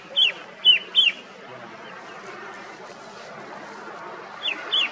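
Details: Shy mountain forest bird, the red-winged shrike-babbler, at Motidhar near Mussoorie, giving three ringing high downslurred notes in quick succession, a pause of several seconds, then two more, against faint steady background noise.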